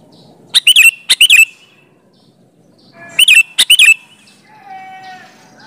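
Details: Sooty-headed bulbul lure song to coax replies from other bulbuls: two pairs of loud chirpy phrases of slurred whistled notes, about two seconds apart, followed by a faint, thin higher tone near the end.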